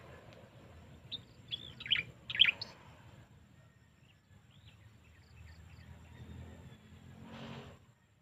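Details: Wild birds chirping outdoors: a few short high chirps and whistled notes cluster around two to two and a half seconds, then fainter scattered tweets over a low rumble of background noise.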